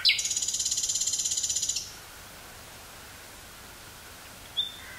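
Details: Nightingale in Dutch woodland near Burgh-Haamstede, recorded 18 May 1983 on a portable cassette machine: an intense fast rattle of around twenty even pulses for nearly two seconds, then silence broken by one short high note.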